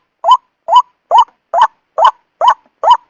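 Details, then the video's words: Repeated croaking notes of a white-breasted waterhen, used as a trapping lure, each a brief nasal upslurred 'kwak' spaced evenly roughly every half second, seven in a row with no other sounds. "suara ampuh pikat burung wak-wak"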